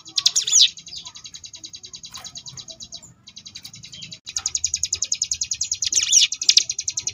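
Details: Ciblek gunung ngebrem song, a tutor recording for contest birds: a short swooping whistle, then a long, rapid, pulsing buzz that grows louder, with high loops near the end.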